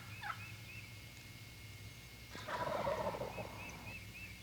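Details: Eastern Wild Turkey gobbler answering a hen's tree call at the roost, in a 1995 recording: one loud, rolling, rattling gobble lasting about a second and a half, with faint high chirps of small birds in the background.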